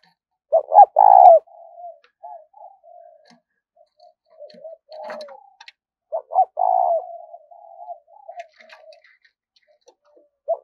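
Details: A spotted dove coos 'thúc' style as a lure for trapping: a strong phrase of quick notes and a long coo, a stretch of soft broken murmurs, then a second phrase and faint trailing notes.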